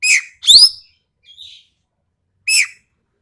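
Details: Harsh, sharp ekek keling calls from Sumatra: a grating pair of notes, a soft short whistle, then one more raspy downslurred note after a pause.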